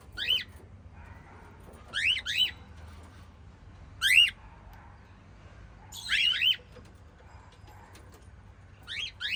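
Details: Five lovebirds in a small family group chirping: bright, upward-sweeping squeaky chirps, some doubled in quick pairs, spaced roughly every two seconds, with a steady low hum beneath.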